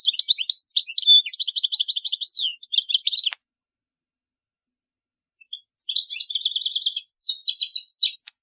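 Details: Song of the European goldfinch used to train young birds: two long phrases of rapid tinkling twitters and buzzy trills, separated by a silence of over two seconds.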